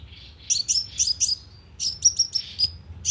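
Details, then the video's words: Lively sunbird lure call for speaker trapping: quick, high, slightly slurred chirps in two short bursts separated by a brief pause, plus a single faint click. "TIẾNG CHIM 🐤HÚT MẬT MỒI CỰC SUNG DÙNG BẪY LOA 📣KÍCH CHIM"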